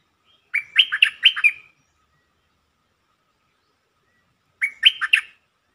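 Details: Bulbul song used as a lure to excite birds: two bursts of quick warbled, bubbly notes, each about a second long, with a pause of roughly three seconds between them, on a quiet background.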